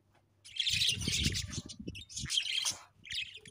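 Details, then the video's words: Budgies kept as pets give a rush of busy, raspy high chirping after a brief quiet start. Low handling thumps run beneath it, and a second chattering burst comes near the end. "𝑩𝒖𝒅𝒈𝒊𝒆 𝑩𝒊𝒓𝒅𝒔 𝑪𝒉𝒊𝒓𝒑𝒊𝒏𝒈 𝑺𝒐𝒖𝒏𝒅𝒔"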